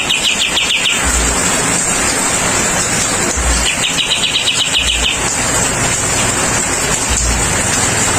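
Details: Two brief spells of rapid high chirping from a kapas tembak bulbul during rain therapy, the second longer, with long quiet stretches between them filled by rain hiss and occasional low thumps.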